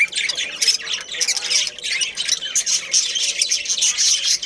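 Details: Budgerigars in a breeding colony of pairs and family birds chirping constantly: loud, high, scratchy warbles and squeaky notes from many birds running together without pause.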